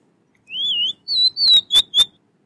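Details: Oriental magpie-robin, called doyel, used to teach bird names to toddlers: a clear whistled phrase with a rising and falling opening note, then a higher sustained whistle and three sharp, clicky notes.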